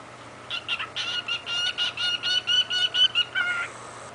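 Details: A pet cockatiel chatters quick, speech-like syllables with a nasal, slightly raspy tone, saying "he's just a little baby bird" to his mirror when in an especially sweet, affectionate mood.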